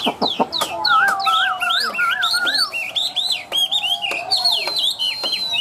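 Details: Tame caged Chinese hwamei delivers a loud, varied song: sharp clicks and rapid high slurred notes, then a series of looping whistles and a long, high sustained note near the end.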